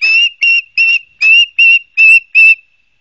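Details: Osprey at a nest in Barnegat Light, New Jersey, recorded by a live nest camera on September 12, 2022: seven loud, high whistled chirps, each with a faint upper overtone, delivered in quick succession over about two and a half seconds.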